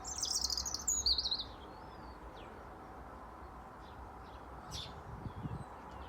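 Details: European robin in a Dublin garden in February giving a burst of very high, rapid twittering notes for about a second and a half, followed by quiet background with faint distant chirps.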